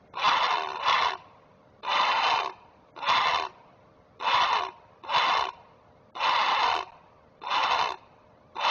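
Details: Protective great blue heron parent at a Chesapeake nest giving rough alarm squawks: short harsh bursts, some doubled, repeated roughly once a second in an uneven series.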